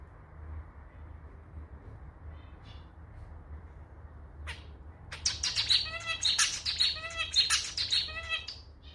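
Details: A male zebra finch sings in clarinet style, its song sounding like a slightly off-key little clarinet: a single call, then from five seconds a rhythmic burst of buzzy nasal notes with a motif repeated about every half second.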